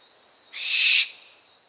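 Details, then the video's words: Barn owl fledgling giving a begging snore: a single harsh, hissing broadband burst about half a second long, loud and steady before cutting off, with a faint thin tone underneath. "Owl, Barn Fledgling begging snore"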